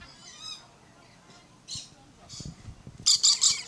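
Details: Red-collared lorikeet making soft chattering notes, then a burst of loud, shrill, grating screeches near the end, with light knocking sounds underneath.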